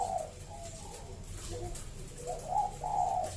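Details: Local zebra dove, used to prompt other zebra doves to sing: soft mellow coos at the start, then a brighter run of trilled cooing notes near the end, with steady low background hum.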